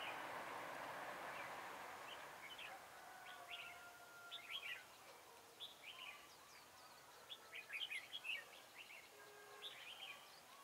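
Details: Red-whiskered bulbuls recorded while being trapped in Hoa Binh on a cold day, 10 December 2017; the birds stay aggressive. A rumbling noise fades over the first seconds, then rapid chirpy, whistled phrases follow, several overlapping.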